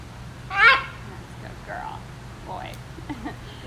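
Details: Captive female green-winged macaw at a zoo, which loves to scream loudly, gives one loud, harsh, raucous scream, followed by softer rasping notes and a person talking.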